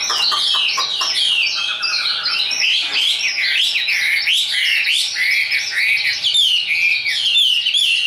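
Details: Tame Chinese hwamei kept in a cage as a contest bird, singing high: loud continuous warbling of mellow swooping whistles and quick varied phrases, with brief chatter at the start.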